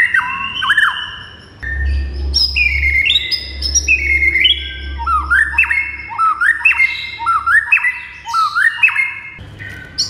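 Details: Caged-style white-rumped shama master song (murai): varied whistled phrases stepping downward, then a repeated run of rising swept notes ending in clicks, about one per second, over a faint low hum.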